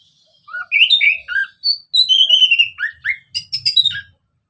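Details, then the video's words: Orange-headed thrush in ngeplong style, used to provoke other birds into song: an almost continuous stream of varied whistled warbles, slurred up-and-down notes, and quick high chips. "Kicauan Anis Merah Bikin Emosi Dan Gacor"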